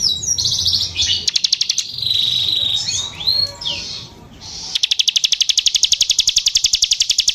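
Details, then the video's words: Bar-winged prinia (ciblek sawah) opens with jumbled high chirps and squeaky twittering over a low hum, then breaks into a long, fast, steady series of sharp high notes, roughly four per second. "ciblek sawah gacor (ciwah)"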